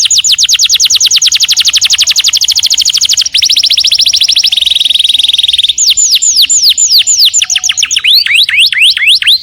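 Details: Canary at home sings continuously: fast high trills shifting pitch in stages, then spaced falling whistles and rising swoops, a loud varied song.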